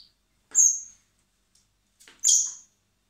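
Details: Hand-reared common blackbird nestlings begging while being fed at a wildlife recovery centre in spring before release: two high, thin, drawn-out squeals about two seconds apart, with faint rustling.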